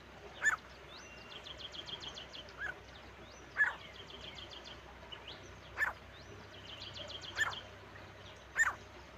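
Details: Partridge (teetar) calls from a male and female pair. Loud, abrupt harsh notes come at uneven intervals of one to two seconds over steady rapid clicking trills of other birds.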